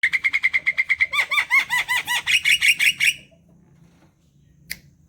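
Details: Javan myna singing, a long run of fast repeated harsh chattering notes, then a burst of rising and falling whistled phrases for about two seconds before stopping; a sharp click near the end.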